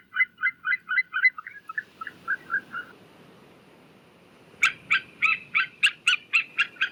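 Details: White-tailed eagle calling: a quick series of yelps that fades out, a pause of nearly two seconds, then a louder, shriller run of yelping notes at a steady pace.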